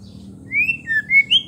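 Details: White-rumped shama singing to provoke rivals: a short burst of four clear whistled notes, the first rising, the second falling, the last two higher and brighter, set against a quiet low hum.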